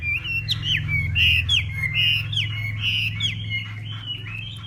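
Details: Morning contest-style singing of a hwamei from northwestern Vietnam: clear, sweet whistled notes, some swooping downward, repeated roughly once per second in a rolling pattern over a steady low background hum.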